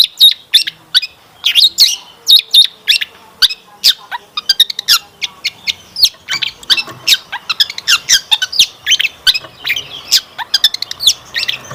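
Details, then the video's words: Long-tailed shrike lure song to set other shrikes singing: a steady stream of sharp high ticks and squeaks, growing denser and more jumbled in the second half. "Kicauan Cendet Memukau! Pancingan Cendet Gacor Full Isian Mewah"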